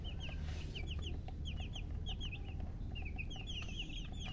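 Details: Chicks peeping continuously, with many shrill falling whistles from a small group in rapid, uneven succession over a constant low rumble.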